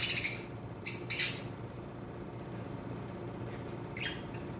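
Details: A 2-month-old male lutino cockatiel, alone in an isolation cage during quarantine, gives a few harsh, scratchy squawks near the start, then one fainter rasping call about three seconds later; the room is otherwise quiet.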